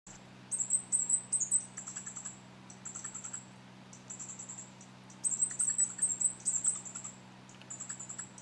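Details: Fire-breasted flowerpecker, recorded in 2011 at Shanlinxi, Taiwan, where it feeds on mistletoe fruit, gives very high, thin ticking notes in quick bursts, in two clusters about four seconds apart, over a steady low hum.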